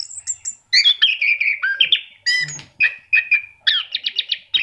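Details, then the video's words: Orange-headed thrush song used to encourage pet birds to sing: high thin notes open into rapid varied phrases, slurred whistles and clipped repeated chips in quick succession, strong and clear. "SUARA ANIS KEMBANG GACOR"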